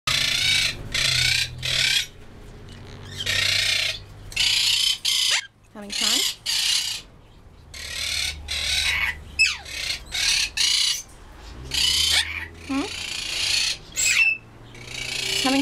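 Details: Jimmy, a 5-year-old green Quaker parrot (monk parakeet), gives harsh, raspy squawks in short bursts, mixed with a few brief whistled notes, while playing with a woman's hair.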